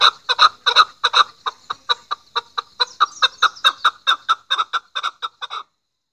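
Chukar giving a rapid series of harsh, clucking chuk notes, about two or three per second, building steadily then stopping abruptly.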